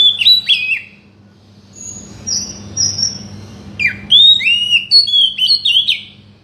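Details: Oriental magpie-robin song, used to get a silent bird singing: quick slurred whistles, a pause with long level high whistles, then an energetic two-second run of varied, bouncing whistled notes; low hum in the background.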